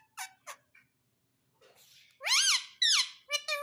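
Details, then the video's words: Pet parrot talking. Short sharp clicks and squeaks come first, then a pause. Two loud, rich, arching whistled calls follow, ending in quick, buzzy chirps. "Talking Parrot"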